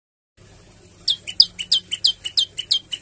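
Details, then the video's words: Olive-backed tailorbird (prenjak lumut) singing vigorously, with song variations and rapid 'tembakan' bursts. After a short quiet start come about ten sharp, high chirps at a fast, fairly even pace, alternating higher and lower notes. A low hum runs underneath. "Prenjak Lumut Gacor Mainkan Variasi Lagu dan Tembakan"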